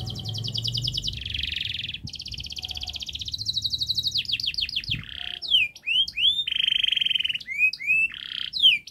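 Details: Local canary in full long, fast, tightly packed song used as a model for young canaries: buzzy trill blocks, a rapid run of falling notes, then sharp upswept whistles and a steady high trill, with faint low background hum.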